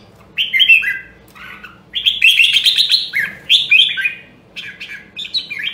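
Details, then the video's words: Red-whiskered bulbul in voice training, singing short bursts of rich, warbled whistled phrases with slurred up-and-down notes, separated by brief pauses. "Luyện giọng Chào Mào Nam Đông Huế"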